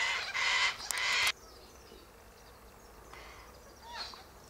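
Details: A Sulphur-crested cockatoo flock feeding on seeds from pods high in a silky oak tree. A loud, harsh, grating double screech comes first, followed by quiet background with faint distant calls.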